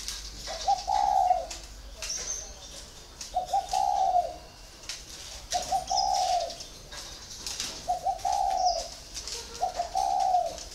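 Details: Cage-kept spotted dove, four years caged, repeating a low mellow cooing phrase five times, roughly every two seconds, each a short rising note into a longer hum, with faint rustling between.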